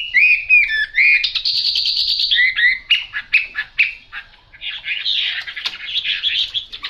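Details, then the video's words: Chinese hwamei with yellow bill and legs: clear slurred whistles give way to fast buzzy and chattering notes, ending in a dense, scratchy warble. "Họa mi mỏ vàng chân vàng"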